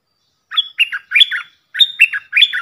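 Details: Puff-throated bulbul decoy recording for teaching young birds: two short groups of bright, warbled notes, each opening with a high whistled note then dropping into chattery, falling syllables.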